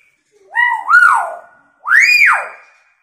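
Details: Hill myna in full voice, mimicking a siren and a woman's scream, used as a lure for quiet mynas: two loud, rich, harmonic wails, each swooping up and falling away, the second higher and arched, with a short gap between.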